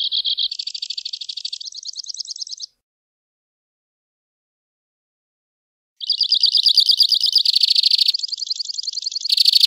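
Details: Two-barred crossbill singing fast high trills in changing sections, a gap of a few seconds, then further rapid trills, some coarse and buzzy.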